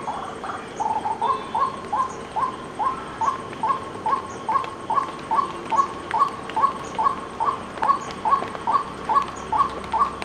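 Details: White-breasted waterhen calling: a steady series of short, clipped notes at a mid pitch, each slightly rising, repeated about twice a second with even rhythm for the whole stretch, over a soft background hiss.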